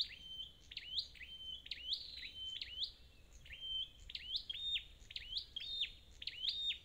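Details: Forest-caught red-headed flowerpecker in a rapid run of about twelve high, squeaky, up-sweeping notes, closely spaced and slightly uneven in timing, with no other clear sounds.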